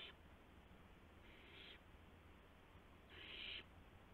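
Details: Owls at night on March 19, 2016, with mice and a gopher being delivered to owlets. A faint rasping hiss, then a louder, longer breathy screech near the end, against a low steady hum.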